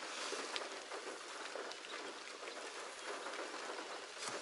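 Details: Rain patters on a surface with scattered drop ticks and a steady hiss, and no animal voices.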